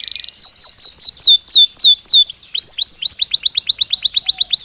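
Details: Belgian canary in natural song, used for daily training: a series of bright descending slurred notes, then a quick run of rising upswept whistles repeated several times a second.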